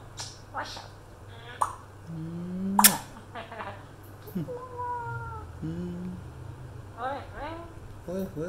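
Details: A pet African grey parrot, Mr. Congo, talks in short, voice-like syllables with sliding, meow-like pitch glides, imitating religious phrases and trading them with a person's speech over a low household hum.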